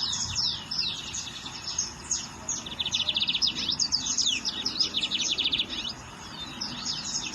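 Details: Lined seedeater in the wild delivering an energetic song of high, fast buzzy trills. Sharp descending whistles repeat in quick bursts, with a short pause before a final phrase.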